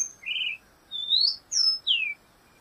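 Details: Black-goggled tanager song: clear whistled notes, a low warbled phrase followed by rising and falling slurred whistles in short bursts, with quiet background.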